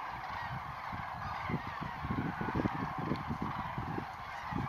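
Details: Dawn departure of common cranes at Lac du Der, 19 November 2016: a swelling mass of short, deep honking calls from many birds, thickest mid-clip, against a steady hiss of background noise.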